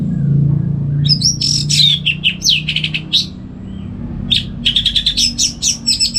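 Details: Orange-headed thrush, locally anis merah, kept at home in Singaraja, North Bali, singing vigorously in the morning to tutor other songbirds: dense varied warbling with whistles, rapid trills and scratchy notes, a brief pause, then a fast chattering run.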